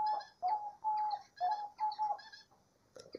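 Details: Diamond dove in nature repeating short, clear, even coos about twice a second, each steady in pitch. Thin, high twittering of other birds runs above the coos, and a brief click near the end.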